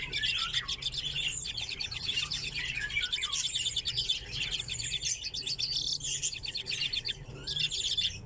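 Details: Caged common redpolls kept together with chaffinches in an aviary, giving a continuous overlapping chatter of quick, dry twittering trills from several birds, with faint low background hum throughout.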